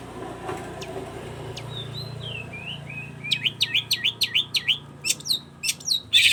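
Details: Long-tailed shrike in lively song: soft slurred whistles over a low hum, then a brisk series of sharp, downward-sweeping chirps, about three per second.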